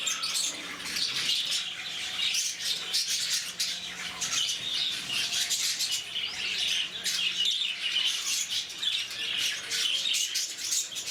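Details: Lovebirds at Bannerghatta Zoo, Bangalore, chatter loudly and constantly, a harsh, high-pitched flock din of clipped squawks in waves, over a faint low mechanical hum.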